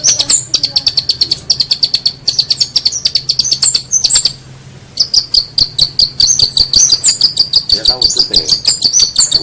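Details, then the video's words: Long-tailed shrike singing on a training recording for contest birds: bursts of rapid high ticking notes with whistled flourishes, a short pause near the middle, then a longer continuous run of fast chips. "Masteran cendet"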